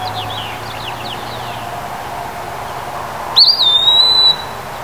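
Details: Eastern wood-pewee, a flycatcher, singing its loud summer song: faint descending whistles at first, then a loud, clear whistled phrase about a second long that slurs briefly and holds steady. A low constant hum sits underneath.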